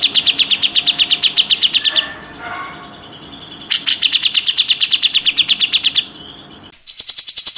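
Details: Grey-cheeked bulbul in the fast, coarse tembakan rapat besetan style: long, even trains of sharp, rapid chattering notes, about seven per second, broken by a brief quieter twittering phrase, then resuming and ending in a harsher burst.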